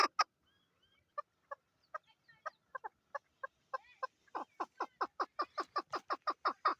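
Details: Female chukar partridge in Pakistan calling: sparse single clucking notes at first, then a fast, accelerating series of loud, evenly repeated chuck notes building toward the end.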